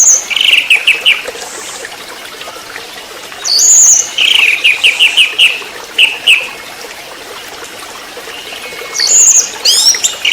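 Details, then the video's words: Orange-headed thrush singing in the trotol style: short rapid trilled bursts repeated several times, with brief thin high notes between phrases and quiet gaps, over a soft hiss. "Anis merah TROTOL"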